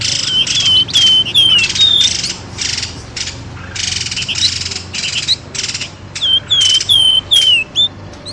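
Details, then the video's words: Noisy bird lure call, used to draw birds quickly out of thick bushes: harsh, buzzy squawking bursts in rapid, uneven succession, interleaved with clear whistled notes that slide downward, several in a row near the start and end. "SUARA PIKAT BURUNG pelamboyan ribut"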